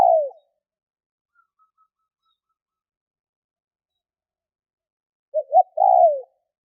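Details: Spotted dove cooing: a falling coo cut short at the start, then silence, then a quick double note and a longer, drawn-out coo that slides downward near the end. No other sounds.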